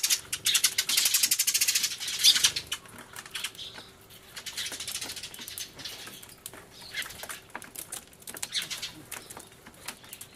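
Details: Sparrows crying loudly in a commotion, recorded 24 March 2013 on an Everio camcorder alongside a turtledove: dense bursts of sharp, high chirps in the first two seconds, then looser scattered chirping with quieter gaps.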